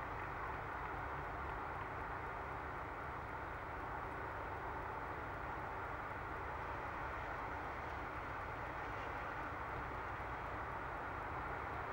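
Steady broadband urban traffic rumble with no animal voices.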